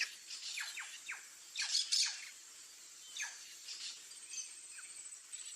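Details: White-tailed jay, a bird of Ecuador and Peru, giving a series of short, harsh, steeply falling notes in loose clusters, with a louder burst near the middle, over a steady high hiss.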